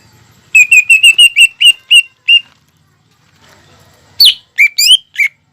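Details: Greater green leafbird in energetic song, used to encourage young birds to sing. A brisk series of about ten clear, ringing whistles on a steady pitch, a short pause, then sharp rising and falling slurred notes.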